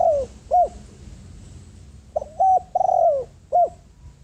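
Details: Spotted dove used as a decoy to attract wild doves, repeating soft husky coos: short notes, a longer falling coo, then a short coo, with low background noise.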